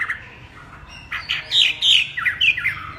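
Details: Harsh, loud slurred notes from a Chinese hwamei during its special warbling song, with bursts of rasping, squawky phrases after a quiet start.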